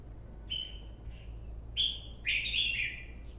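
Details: Red-whiskered bulbul song said to sound like an old bird's: clear whistled notes, a flat first phrase then two louder rich warbled phrases in quick succession, over a steady low hum.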